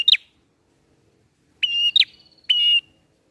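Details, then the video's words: Bar-winged prinia in 'ngalun' song, a lure for catching birds: a brief flick, a pause, then a held high whistle with a sharp rising end and a final long steady tone. "PRENJAK NGALUN"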